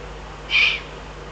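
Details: Single hoarse, hissing note from a Eurasian eagle-owl in the Eifel, recorded 22 June 2012, lasting roughly a quarter second, noisy and high-pitched, with quiet steady background hum.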